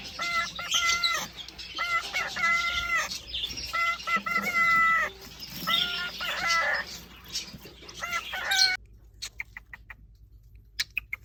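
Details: Male cockatiel courting a female, caged indoors; repeated flat, drawn-out whistles in pairs and triplets about every second, ending abruptly in near silence with a few faint clicks.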